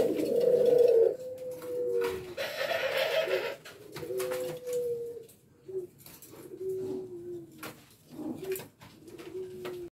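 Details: F1 hybrid male dove, bred in Indonesia from a male island collared dove and a female ringneck dove, calling in courtship and excitement: low rolling coos repeated in quick series, some drawn out, with bursts of rustling and handling noise indoors.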